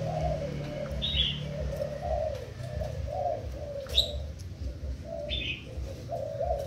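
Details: Spotted dove kept as a decoy bird, Thai type, recorded 10/04/18: a steady run of low, soft, rounded coos with slight rises, nearly continuous over a low hum, with short high chirps from another bird now and then.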